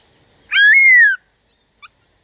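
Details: A single drawn-out whistle from a black-throated laughingthrush, used to prompt other birds to sing. The whistle rises sharply, then slides slowly downward, and a faint short note follows.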